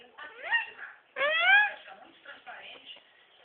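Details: Parrot imitating human speech indoors: a short rising syllable, a pause, then a loud drawn-out rising phrase, followed by softer chattering syllables, all in a clear, harmonic voice.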